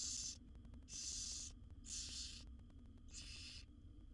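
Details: Barn owl owlets in a wild nest box hiss for food while their mother feeds the seven young; four coarse snore-like screeches, the first cut short, then three longer ones about a second apart.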